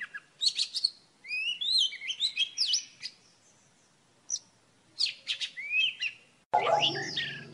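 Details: Morning song of an old wild Oriental magpie-robin, recorded as a trapping lure: scattered whistled and slurred phrases separated by short gaps, ending in an abrupt burst of broader, noisier sound.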